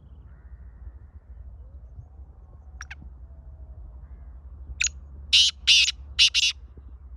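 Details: After several seconds of quiet with a faint distant chirp, a black francolin, or kala teetar, utters one crisp short note followed by a burst of three loud, harsh, scraping notes. Low background rumble throughout.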